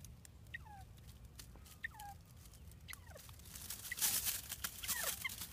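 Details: Newly arrived pet bobwhite quail in their new pen make soft falling whistles roughly once a second, then a burst of rustling, hissing noise covers the last seconds as more quiet calls continue.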